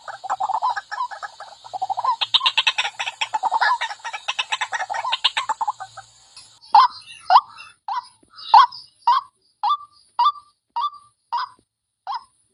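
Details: White-breasted waterhen lure call: a rapid, pulsing series of gurgling notes for several seconds, then clear, separate 'kwak' notes repeated roughly every half second to the end.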